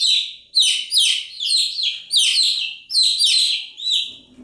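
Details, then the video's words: Continuous chick chirping: high, sliding-down peeps repeated in close pairs and triplets, roughly every half second, with a faint low thump at the end. "Continuous Chirping sound of Chicks"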